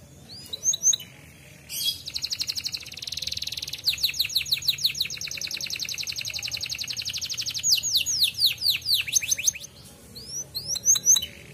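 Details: Griwik-style canary song used to draw canaries into singing: scattered chirps, a loud buzzy trill, a long rapid series of clipped high notes, a run of downslurred whistles, then quieter chirps.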